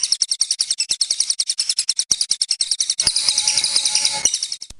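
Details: Lovebird long 'ngekek' chatter from a contest-training master recording: a rapid, very high pulsed trill of about three to four ticks a second, joined midway by steady tonal lines before the trill resumes.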